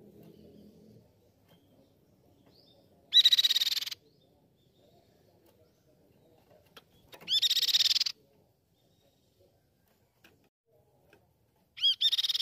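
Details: Grey-cheeked tit-babbler, recorded to train and provoke caged birds into singing, delivers short rapid high-pitched trills, each under a second, repeated about every four seconds with quiet between them.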